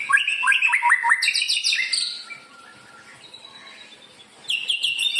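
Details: White-rumped shama singing as a lure for other birds, opening with quick descending repeated notes, then bright high trills, a long thin steady whistle during a quiet stretch, and a final burst of high notes.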